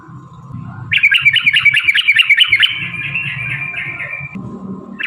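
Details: Long fighting song of a yellow-vented bulbul, intended to provoke rival bulbuls to answer: a burst of rapid, bubbly warbled notes lasting about three seconds, set against a constant hum and low rumbling noise.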